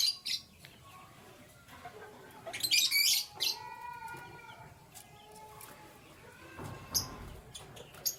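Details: Canaries, kept birds, in the morning: scattered bright, high chirps, then a dense burst of sharp chirping around the middle, followed by short tonal notes with a hard edge, and lighter chirps and clicks continuing intermittently.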